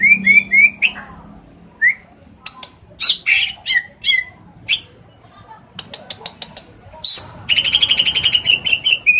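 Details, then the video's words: A kept greater green leafbird (cucak ijo) in Pemalang, Central Java, Indonesia, pours out a varied song: quick, clear whistled notes in short runs, sharp high chips, and a fast rolling trill near the end. "Cucak ijo"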